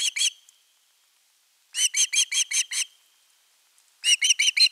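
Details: Osprey begging for fish at nest 3, 10 August 2021, long calling before a whole fish arrives; short bursts of three, six and five clipped whistled chirps separated by silent pauses.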